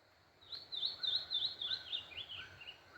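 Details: A saltator, locally called pixarro, sings on a cold, sunny early morning at a rural smallholding in Brazil: a lively phrase of clear, warbled whistles, about eight linked notes over two and a half seconds, drifting slightly lower, over faint hiss.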